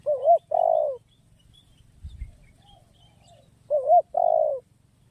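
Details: Spotted dove cooing twice, about 3.7 seconds apart. Each phrase is a brief wavering note followed by a sustained, slightly descending coo. Faint soft chirps sit between the phrases over a low background hum.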